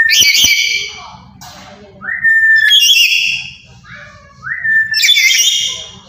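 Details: Black-capped lory from Papua making loud provoking calls: harsh harmonic screeches alternate with clear, rising whistled notes, roughly every second and a half, over a faint low rattle.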